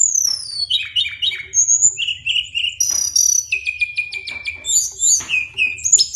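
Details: Long rolling ngeroll song of a Brown-chested jungle flycatcher: clear descending whistles, steady high notes and rapid repeated trill bursts flowing almost without pause, over a faint low hum.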